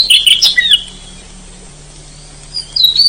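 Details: Forest oriental magpie-robin in vigorous song: a short burst of bright, high, tumbling whistled notes, a pause with only a low steady hum, then a clear downslurred whistle at the end.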